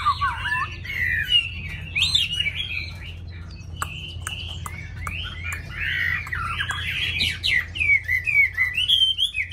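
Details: Song of a tame caged hwamei kept in Vietnam: varied warbled and whistled phrases, quieter in the middle then building to a busy, loud stretch, with sharp clicks scattered throughout.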